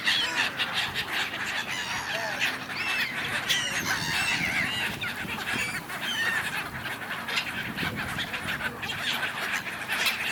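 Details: Crowd of gulls squabbling on the Dnipro river in Kyiv, Ukraine, winter: continuous overlapping nasal cries and yelps from many birds, a steady noisy chorus throughout.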